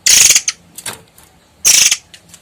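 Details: Long-tailed sibia (murai air), kept as a sharp, dense-singing master songbird, giving loud, harsh, high rattling bursts, two strong ones about a second and a half apart with softer chatters between.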